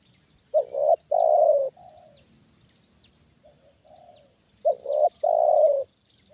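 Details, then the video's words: Spotted dove kept for trapping wild doves reacts to a wild one with loud cooing phrases, two quick notes and a long coo, answered by softer, farther coos, over a high steady insect whine. "Inilah Reaksi Tekukur Ajaran Di Turunin Burung Liar Untuk Kedua Kalinya"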